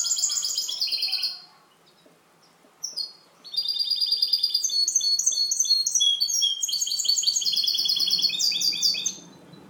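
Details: Caged European goldfinch hybrid, one of three kept for song training, singing its clean song: a brief high twittering burst, a pause, then a long rapid run of bright, metallic, buzzy trilled notes lasting several seconds, with faint room noise beneath.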